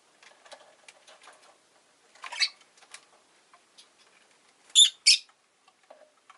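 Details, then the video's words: Rosy-faced lovebird calls over a bed of soft scattered clicks and taps: one scratchy chirp near the middle, then two sharp, loud chirps close together, followed by quieter clicking. "Lovebird Chirping Sounds"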